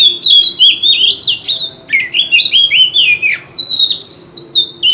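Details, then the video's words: Male white-rumped shama pouring out loud, continuous contest song in a wild-type voice: rich, varied whistled phrases that rise and fall rapidly and almost without pause, packed into a dense melodic stream. "Chòe Than Trống Hót Liên Hồi – Âm Thanh Chuẩn Giọng Rừng - Chích Chòe Than Hót Đấu"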